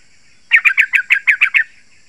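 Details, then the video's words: Eight crisp, bubbly notes from a yellow-vented bulbul, delivered in a quick even series against a quiet background. The song is used to attract wild birds and to prompt caged birds to answer. "Trucukan Gacor Rapat Suara Tajam"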